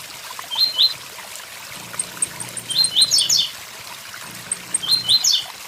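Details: By a waterfall, a blue-black grassquit gives short buzzy bursts of rapid rising notes about every two seconds, with high ticking notes, a low hum and steady water noise.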